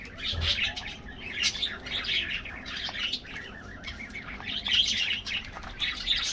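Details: Morning treat time for a colony of colorful budgies kept in an aviary: a steady flock chatter of quick, high chirps in repeated bursts, with many birds calling over one another.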